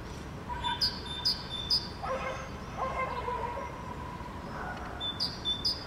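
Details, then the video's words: Great tit (Parus major) in Helsinki, Finland, May 2013, sings bright, high two-syllable phrases three times at a brisk pace; another individual's two-syllable song, differing in pitch and interval, sounds in the background. "Great Tit songs of two syllables"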